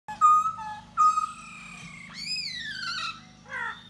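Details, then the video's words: Laughingthrush of the Da Bò type singing and dancing to lure a female: a few clear, steady whistled notes with pauses between, then a loud rising-and-falling slurred whistle and a short buzzy phrase at the end. "Khướu Da Bò Hót Múa Dzụ Mái"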